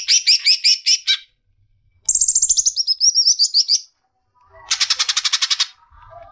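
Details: Masteran song of a greater green leafbird (cucak ijo): a quick series of high, sharp chips, then a sweet downward-sliding trilled phrase, a short silence, and a final dense burst of very high rattling notes.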